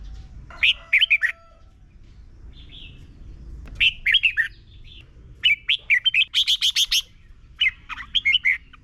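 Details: Red-whiskered bulbul from Thailand, song played every morning for 30 minutes so birds learn to sing; four bursts of bright, liquid, warbled notes in quick runs, separated by short pauses, over a faint low background hum.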